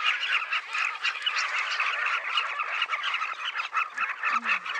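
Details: Huge gathering of southern carmine bee-eaters at a Luangwa River bank colony; unbroken clamour of many birds giving short rolling calls together, with a brief low murmur near the end.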